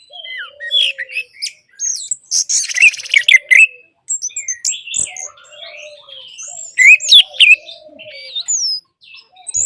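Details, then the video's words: Orange-headed thrush song played as therapy to get silent birds singing: a varied run of loud whistled and buzzy phrases, sweeping and twisting notes around high pitch, with brief pauses and a low faint whistle underneath. "Terapi Anis Merah Bisu | AM Macet Jadi Gacor Coba Di Putarkan Suara AM Ini"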